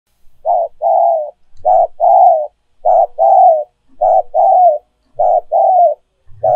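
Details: Spotted dove decoy coos, used to stimulate other doves to coo: low mellow hooting phrases, each a short note followed by a longer drawn-out coo, repeated about every 1.2 seconds in a steady rhythm, with a quiet background.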